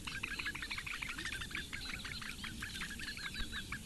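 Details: Four Eurasian bittern chicks at a webcam nest in the reedbeds of Lake Engure, Latvia, beg as the female feeds them breakfast at 08:46 on 15 May 2017: dense, overlapping high chirps, about three a second, over a low rumble.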